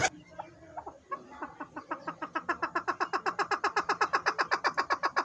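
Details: Male local chukar partridge, a breeder bird calling excitedly, used as a hunting call, Haripur Hazara: harsh clucking notes start sparse, then speed into a rapid, even series of chuk notes, about four per second and growing louder.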